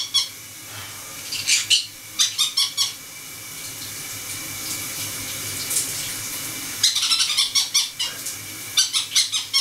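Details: Indoor shower scene with four pet conures, water stimulating one bird to squeak as others chat; scattered sharp squeaks early, a quiet stretch of running water, then renewed bursts of shrill calls near the end.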